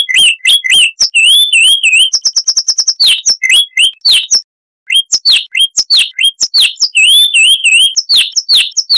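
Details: Chestnut-vented warbler (Sylvia subcaerulea) singing a loud, clear 'Kristal'-type song: a fast jumble of whistled slurs and sharp chirps, a rapid buzzy stutter near two seconds, and a short pause before the varied phrases resume.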